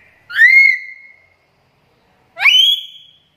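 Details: A black-capped lory (Lorius lory), a lively, vocal bird, gives two loud, clear whistled calls about two seconds apart, each sweeping sharply upward, then holding a bright, steady note.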